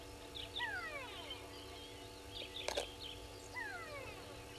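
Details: Brown-hooded kingfisher at Gowrie dam waterhole, Djuma Game Reserve, Sabi Sand, South Africa, morning: descending whistled notes sliding downward, repeated, over steady low hum with a sharp knock midway.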